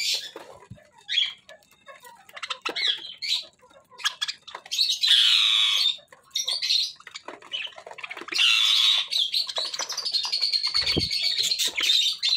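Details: Pet budgerigars chatter in their natural voice with rapid, scratchy warbles and sharp squawks, almost all high-pitched.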